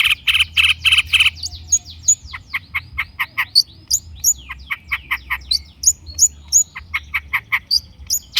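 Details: Long-tailed shrike in gacor lure song: three harsh rasping blasts open a varied, fast medley of squeaky chirps, trills and high whistled notes.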